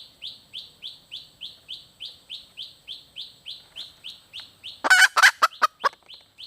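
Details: Female red junglefowl calling: a fast series of short, downward-slurred high chirps, about four per second, followed near the end by several loud, harsh, broadband clucks.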